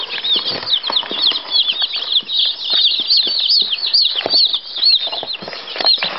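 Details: A brood of six-day-old Sussex laying-hen chicks peeping constantly, high thin overlapping cheeps tumbling over one another, with soft scuffling and pattering underneath.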